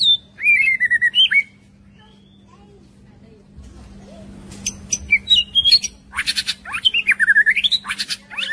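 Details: Forest-style song of a young white-rumped shama, played for voice training: bright falling whistled notes, a pause, then a rush of sharp chips and a rising and falling warbled phrase, over a low steady hum.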